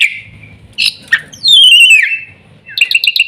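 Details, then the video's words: Black-winged myna giving a high whistled note, short harsh bursts, a long loud downslurred whistle, then a quick series of sharp chirps. "burung jalak putih"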